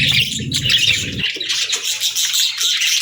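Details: Budgerigars chirping together: a dense, continuous high chatter of twittering notes, with a low rumbling background during the first second.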